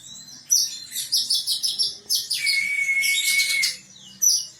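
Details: Caged female sunbird, described as a keen singer ready for song contests, gives rapid high twittering chirps in bursts, then a long steady thin whistle held about a second amid dense chatter, ending with a sharp final chirp.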